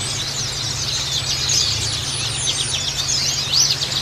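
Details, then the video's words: Lure recording of white-eyes. Crowded, fast, high-pitched twittering from many birds blends into a continuous chatter, with a few sharper squeaks standing out, over a constant low hum. "Burung pancingan pleci"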